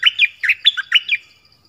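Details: Song of a bird known locally as nok dok taeng, delivering many song phrases: a quick run of six bright, warbled notes that dip and rise, each slurred, ending after about a second in silence.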